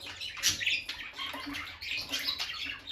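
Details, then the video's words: Pet peach-faced lovebirds, a bonded pair by their nest box, chirp in a dense run of shrill, slightly harsh notes with a loud squawk near the start, against a faint indoor hum. "Parrot Chirping Sounds – Relaxing Lovebird Couple Vocalizations"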